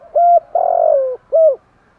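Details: Spotted dove, male and female cu gáy in a "thúc gù" style used to stir birds during daily training; three low cooing notes near 700, a short coo, a long drawn coo falling at the end, then another short coo, clean background.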